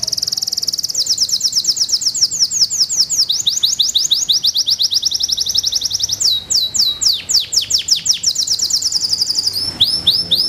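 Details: Singing Belgian Bossu canary, a contest breed with curved posture and bowed head, delivers ten seconds of high repeated sweeping notes, changing pace and pitch between tours, some drops lower before rapid ringing trills return.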